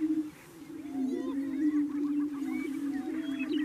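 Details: Chorus of displaying male greater prairie chickens at a lek in Yuma County, Colorado, in April. Booming comes from inflating their air sacs to court females. A steady, resonant low moan underlies rising, hooting whoops and chatter.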